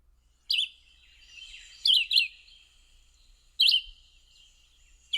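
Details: A Red-eyed Vireo, a spring-summer resident at Dogwood Canyon preserve in Cedar Hill, Texas, sings short slurred whistled phrases separated by one-to-two-second pauses, over faint background hiss.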